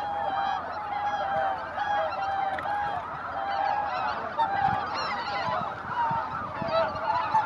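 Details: Greater white-fronted geese flying in to roost at Izunuma, Japan: a dense, continuous chorus of many overlapping honking calls, nasal yelps with bright harmonics stacked high, no pauses across the whole stretch.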